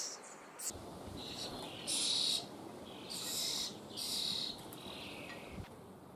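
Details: Caged young common starlings in Liepāja, Latvia, May 2024, give harsh, hissing rasps, each about half a second long, in a few bursts over steady urban background sound.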